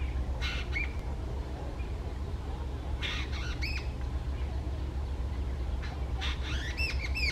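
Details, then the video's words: Jungle Babbler, an angry bird calling loudly, Indian subcontinent: harsh squawking notes in short bursts with rising squeaky tones, scattered through the stretch over steady low rumbling background noise. "Calls of a Jungle Babbler"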